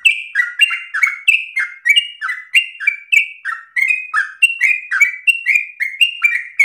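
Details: A yellow-vented bulbul delivers fast, unbroken song with long breath for other birds to copy; loud whistled notes swing between a lower dip and a higher tone in quick succession, clean and free of other sounds.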